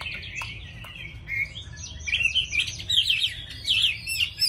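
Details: Tame caged Chinese hwamei singing well: a run of quick, varied warbled and trilled phrases that rise and fall, growing louder toward the end, over a steady low background hum.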